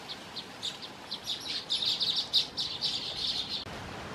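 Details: Baya weaver with chicks: scattered high chirps, then a dense, buzzy chatter of rapid notes for about two seconds, over a faint steady background hiss.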